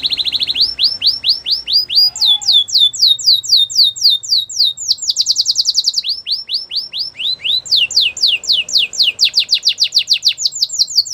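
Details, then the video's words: Belgian canary song made of rapid rolling trills of bright whistled notes, shifting between lower and higher pitched tours, some sections faster and sharper, with brief pauses between phrases and quiet background. "Belgian canary singing"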